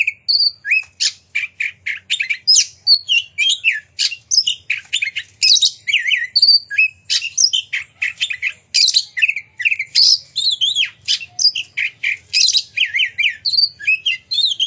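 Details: Oriental magpie-robin singing vigorously with loud, clear, shooting notes, used as a lure to make other magpie-robins fan their tails and sing their repertoire; a dense run of sharp high chirps, whistles and rapid trills in steady bursts.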